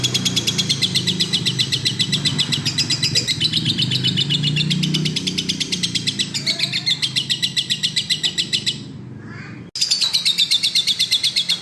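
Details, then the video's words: Lovebird singing energetically: shrill, rapid chatter at about four notes a second over a low rumble. A short break falls near the end, then the chatter starts again. "burung love bird gacor"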